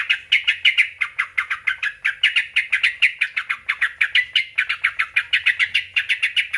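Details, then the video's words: Sooty-headed bulbul song to provoke other bulbuls to answer: an unbroken string of scratchy chattering notes, some doubled, pulsing quickly and evenly throughout. "bagi yg punya trucuk susah bunyi. PANCING PAKE SUARA INI JAMINAN NYAUT JADI GACOR"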